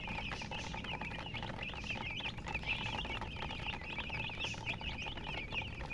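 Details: Chickens with a hen chirping: clear runs of quick, high, downward-slurred peeps from several birds, almost continuous, over a low constant hum.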